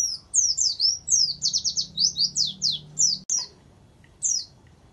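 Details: A warbling white-eye, a training song filled with canary phrases, sings a fast run of high, sweeping slurred notes for about three seconds, then a brief pause and one last phrase; faint low hum underneath.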